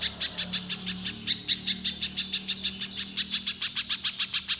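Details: A gacor little spiderhunter firing off 'nembak' notes to spur untrained birds: roughly twenty-five high, sharp chips in quick, slightly irregular succession, low background hum steady throughout.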